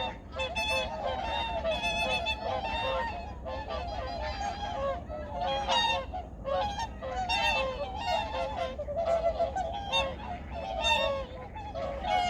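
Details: At Junam Reservoir in Changwon, early morning in 2019, a large gathering of migratory birds keeps up a noisy chorus of short nasal honks, tightly packed bursts rising and falling, with low rumbling ambience beneath.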